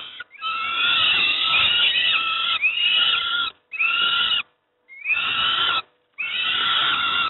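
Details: Peregrine falcon youngsters at Moszna, Pruszków, Poland, during a breakfast feeding give rasping, hoarse screeches in five bursts, each lasting about one to two seconds, separated by short silences.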